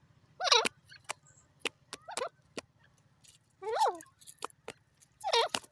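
A partridge gives three loud, harsh, ringing calls about two seconds apart, with sharp clicking taps between them over a low steady hum.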